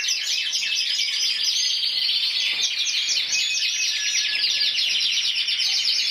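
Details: Intense yellow canary, individual champion of Spain 2014 at 94 points, pouring out quick rippling trills and warbles in one continuous high phrase, with faster chattering rolls toward the end.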